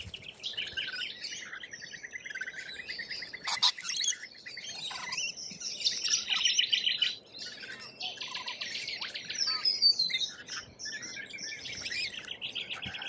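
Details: A noisy group of lorikeets in Australia keeps up continuous high, scratchy chattering, broken by short buzzy trills and a few brief sharp clicks.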